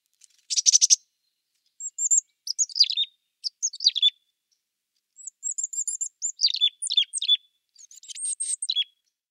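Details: Mountain chickadee (Poecile gambeli) call: a harsh buzzy burst, then quick clusters of thin, high notes that slide downward, repeating in short runs with no other sounds.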